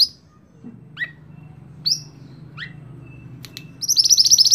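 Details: Scarlet-backed flowerpecker for tutoring songbirds: a series of short, high, downslurred chips about a second apart, then a fast, high, buzzy trill begins at the end.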